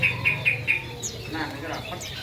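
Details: White-eye kept by bird fanciers: four short bright chirps repeated evenly about every quarter second, then softer scattered high notes over a steady low hum and murmur of background noise.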